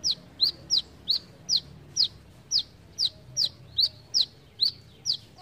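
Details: Besetan-style brown-throated sunbird song: around thirteen piercing, high, down-slurred notes repeated at a quick, slightly uneven rhythm over five seconds, with little else heard.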